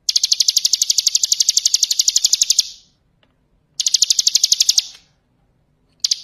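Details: Ngebren song of the bar-winged prinia: bursts of very rapid, sharp, high ticks at about four per second, each lasting a few seconds and ending abruptly, with near silence between.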